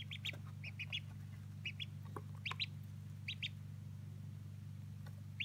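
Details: Old Polish ducklings one day old, 2016, peeping repeatedly: brief high, slightly downslurred notes, often doubled or tripled, spread irregularly through the recording against a constant low electrical hum.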